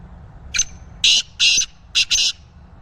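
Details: Black francolin, a kala teetar of the speeder chakri wala type: one short harsh note, then four loud rasping, buzzy syllables in two close pairs. Each syllable is grating and broad. A low hum runs underneath.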